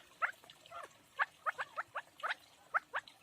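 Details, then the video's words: Home-raised partridge chicks giving sharp, high chirps in uneven bursts, some doubled, over a quiet hiss. "Чучахои кабк Yavru keklik sesi"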